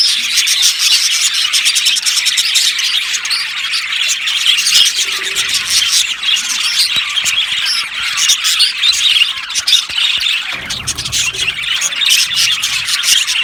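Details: Flock of budgerigars kept in an aviary, chirping and squawking nonstop; rapid scratchy clicks and high twitters crowd together, with a short lower rumble in the background near the end.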